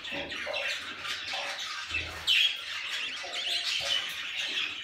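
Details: Young budgerigars, pet babies, giving a continuous busy chatter of overlapping high chirps and raspy squeaks, several birds at once, with one louder squeak in the middle.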